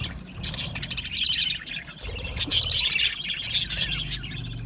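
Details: Many budgies in an aviary chirping and singing: overlapping high, rasping warbles swell in the middle with a few bright squeaky notes, over a soft low background hum.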